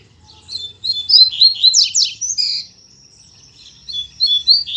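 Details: Male coleiro in captivity singing after the female's arrival: a fast sequence of high chirps and steep buzzy sweeps, a brief sustained thin tone, then another quick burst of notes.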